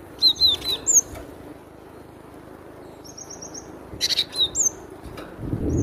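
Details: A cinereous tit sings a loud song of high, downslurred whistles in brief clusters. A quieter, even-pitched series of rapid notes sounds in the middle, with a quiet stretch between phrases.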